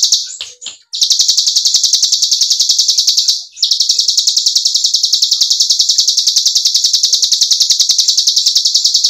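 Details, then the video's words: Continuous 'ngebren' white-eye song meant to stimulate silent birds to sing again: fast, evenly spaced high pulses run on, with a short gap near the start and another around three and a half seconds. "MASTERAN CIGUN NGEBREN sekaligus PANCINGAN CIGUN MACET BUNYI AGAR KEMBALI BUNYI GACOR"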